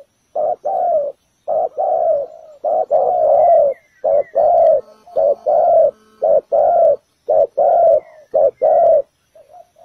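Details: Decoy spotted dove calling on the ground at a trap to draw other doves in. It gives a steady run of husky, low coos, short notes paired with longer drawn ones, with faint higher chirps from other birds in the background.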